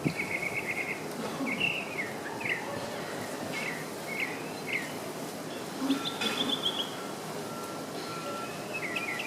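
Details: Tropical mockingbird song recorded in November 2014 near Tulum in Quintana Roo, Mexico: a string of quick, bright chirped phrases changing in shape every second or so, set against constant insect-like hiss and outdoor noise.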